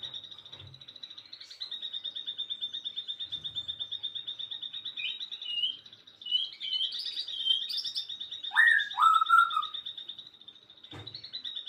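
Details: In the afternoon a bird holds a long, fast high trill, breaks into twittering and a pair of strong down-slurred whistles, then resumes the trill; faint low knocks occur now and then.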